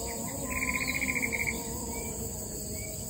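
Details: Shrike parent guarding its nest of three chicks, wary of a nearby predator, recorded about 4 m up a tree: a quick chattering run of about a dozen even, mid-high notes lasting a second, over a steady high hiss of insects.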